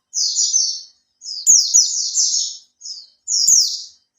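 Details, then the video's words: Lure song of a caged Oriental white-eye held for three months, now learning to spread its tail: near-continuous shrill twittering, overlapping downward-slurred notes in several rapid bursts with brief gaps. "Suara Pancingan burung pleci"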